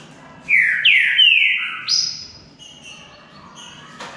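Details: Green-winged saltator in a singing contest, a short phrase of three strong downslurred whistles followed by a higher thin note, then quieter faint whistles and a click.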